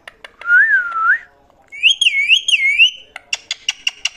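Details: Parrot giving a long wavering whistle, then a higher warbling whistle with rolling ups and downs. A quick run of crisp clicking notes closes the sequence.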